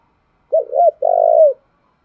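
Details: Spotted dove decoy coo for training new birds: two soft, rounded notes lead into an extended, throbbing crooo that drops in pitch. Nothing else is heard.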